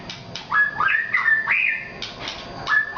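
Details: Murai batu Nias, a white-rumped shama, giving drawn-out whistles that rise and then hold steady, with short sharp notes in between and a brief pause before the next phrase.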